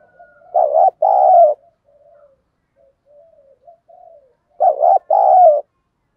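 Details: Lure spotted dove cooing in thổ voice style: two loud two-part phrases about four seconds apart, a wavering note then a longer coo, with a run of soft low coos between them.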